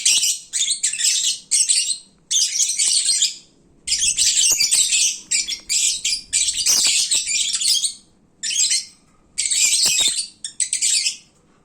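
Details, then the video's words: Noisy midday chatter of lovebirds that are full and drowsy: repeated bursts of harsh, shrill squeaking and twittering, each a second or two long, separated by short silences. "Kicauan Lovebird saat mengantuk. Duuh berisiknya !!!"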